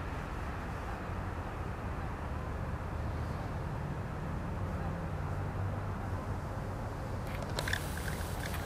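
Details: Steady low engine rumble, as from a boat or vehicle, runs throughout with faint voices and a brief clatter near the end.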